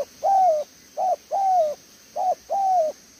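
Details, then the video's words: Decoy spotted dove with a strong voice giving "thổ tở đèo lò xo" cooing: brief clipped notes each followed by a long, level, slightly dropping coo, five notes in about three seconds, with background hiss. "Thổ Tở Đèo Lò xo | Âm quá tốt"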